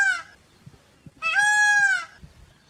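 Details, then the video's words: Peafowl, peacock and peahen, giving two loud harmonic wailing calls, a brief one at the start and a longer level one lasting about a second, with faint low rustling between them. "peacock calls & peacock saunds मोरनी और मोर की आवाज"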